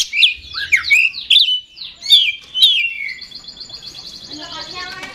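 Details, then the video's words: Oriental magpie-robin, known as kacer, in lively 'gacor ngeplay' song. Rapid slurred and whistled notes tumble together, then a long, even, buzzy rattle fades out. "Suara Kacer Super Gacor Ngeplay Konslet Ekor Goceng"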